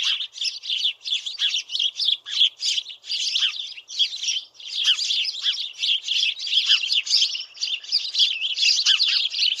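House sparrows chirping in a dense, continuous chatter of short, bright cheeps, several overlapping birds calling rapidly without pause.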